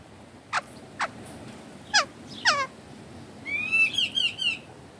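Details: Young hand-reared Sumatran laughingthrush (Garrulax bicolor), about a month old and very tame, calling while being cuddled by its keeper: sharp descending chips spaced apart, then a rapid run of bright whistled and harsh notes near the end.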